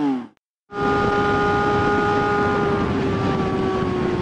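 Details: A steady mechanical drone with a sustained tone and level hum after a brief silence, like a running vehicle or ship engine; no animal calls are heard.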